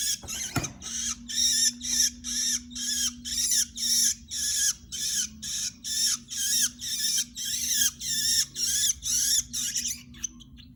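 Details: Long-tailed shrike, a prospective bird for tutoring other songbirds, giving a steady series of harsh, scratchy, buzzy bursts at about two per second for ten seconds, with a low steady hum beneath.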